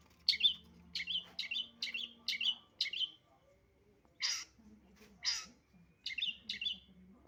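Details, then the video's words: A long-tailed shrike, used as a decoy sound to lure shrikes, gives quick, sharp chirps about twice a second, broken by two harsh, rasping screeches, then more chirps. "pancingan burung cendet"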